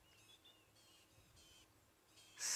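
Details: At sunset in Sabi Sand, South Africa, on 13 July 2016, birds give thin, high, fairly subdued alarm chirps in short bursts about every half second, aimed at a predator, then a loud rustling burst.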